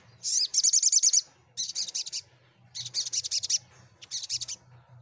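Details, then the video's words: Olive-backed sunbird song for drawing a response from quiet sunbirds: four bursts of rapid high-pitched notes, each lasting under a second, the first the fastest and loudest trill, with short pauses between bursts. A low hum runs throughout. "Cukup Sekali Putar SogokOntong Bisu Pasti Langsun Ikut Nyaut & Gacor"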